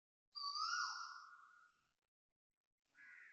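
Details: Asian koel (Eudynamys scolopaceus) giving loud calls at 6.43am on 20 December 2025 at a housing block in Toa Payoh, Singapore: one loud, drawn-out call rising briefly then sliding downward, a short pause, then a second call begins.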